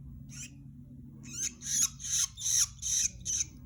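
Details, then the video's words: Long-tailed shrike kept for tutoring: after a faint opening note and a second of quiet, a quickening run of rasping, buzzy bursts sounds at about two and a half per second. "Calon burung cendet masteran"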